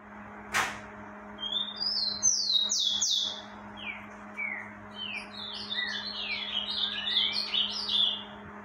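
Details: Rufous-collared sparrow singing heavily in the breeding season: clear high whistled notes and slurs, some falling in pitch, followed by a dense run of quick high chirps, with a low steady hum and a sharp click near the start.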